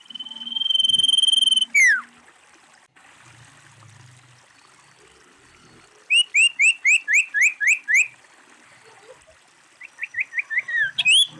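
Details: A female common iora's held buzzy trill ends in a falling slur. After a pause comes a rapid series of about nine short, sharp upslurred chirps, then another run of chirps ending in a downslurred note. Faint low rustling lies in the background.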